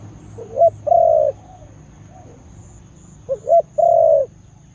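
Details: Two full phrases from a loud Khmer dove, about two and a half seconds apart, each of quick rising notes ending in a long soft coo, with a faint extra note in between.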